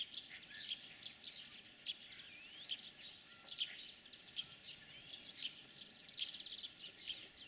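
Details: European greenfinch heard in spring, breeding season: steady series of sharp, high chirps and brief trills at even intervals, with a few thin upslurred whistles between.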